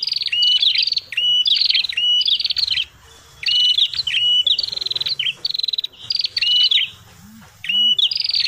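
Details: Prinia, named as a red-headed prenjak, heard in a lure recording: busy, high buzzy trills with sharp rising whistled notes, phrases repeating roughly every second in quick bursts; two faint low rising notes in the background.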